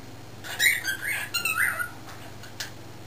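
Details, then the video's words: Young male cockatiel, under a year old, kept caged indoors while people work in the driveway, talking: a run of raspy, chattering syllables with rising and falling tones for about a second and a half, then two brief soft notes, over a low steady hum. "Cockatiel Talking"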